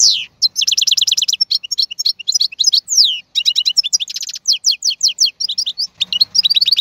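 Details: Wild European goldfinch from 2022 pouring out a continuous stream of fast liquid twitters, downward whistled sweeps and buzzy trills with hardly a break.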